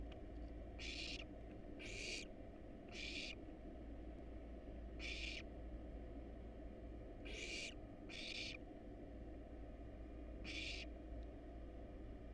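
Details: Nestling barn owls, wild and hungry in a research nest box, hiss for food while fed rat and rabbit: short raspy screeches in uneven clusters, eight across twelve seconds, with a humming background.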